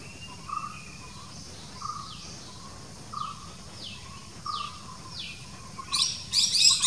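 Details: A Legge's hawk-eagle chick in its nest, walking around and spreading its wings, gives thin, high whistles that slide downward about every second over soft lower notes, ending in a burst of rustling noise.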